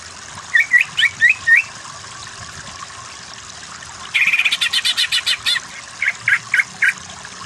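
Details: Greater green leafbird song from a masteran tutor recording meant to train other birds toward the fast 'kejer' style: five quick rising whistled notes, a pause, then a rapid buzzy trill of clipped notes, and a few spaced chirps.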